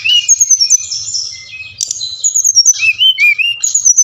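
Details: Brown-chested jungle flycatcher, song played to captive birds to make them sing: high whistled phrases gliding down in steps, a brief pause, then looping rising-falling notes repeated rapidly, over a faint low hum.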